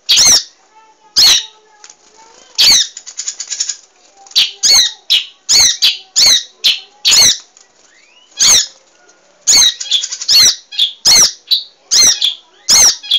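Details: Munia song from a training recording for cage birds, in a lively-singing style: sharp, high, thin chirps, mostly single and well spaced, about one every second, with a brief buzzy run near the start.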